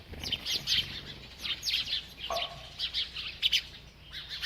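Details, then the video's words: A bird chirping busily while eating: rapid, high, scratchy chirps and short twitters in quick bursts, with a brief lower whistled note partway through and a faint low hum underneath. "This Happy Bird Won’t Stop Eating and Chirping"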